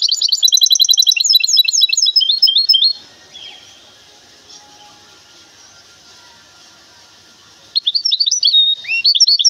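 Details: Goldfinch hybrid from Temara, a cage bird, opening with three seconds of fast, ringing twittering trills, then almost five seconds of quiet hiss before the high chirping song returns briefly.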